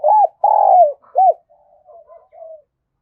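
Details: Spotted dove coos played as a decoy for attracting doves: two arched hoarse notes framing a long sustained coo, followed by a quiet series of softer, fading coo phrases.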